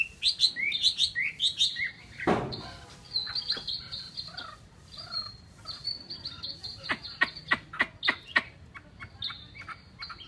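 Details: Chinese hwamei song of high trilled and slurred whistles, broken by a loud dull thump, then resuming with scattered whistled phrases and sharp clicking notes.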